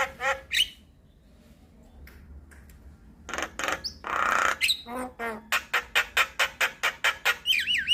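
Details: Javan myna lure and tutor song for starlings: a few harsh notes, a quiet gap, a loud rasping screech, then rapid clicking notes and closing looped whistles.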